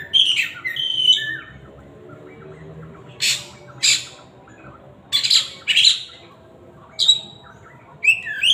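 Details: Loud song of an Oriental magpie-robin: opening whistled notes, then sharp, scratchy, bright bursts spaced one to two seconds apart with quiet gaps between.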